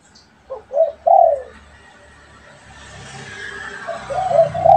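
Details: Spotted dove, a pet and a wild bird calling to each other; a short phrase of three soft coos ending in a louder hollow note, then a rising hiss and low rumble with faint coos beneath.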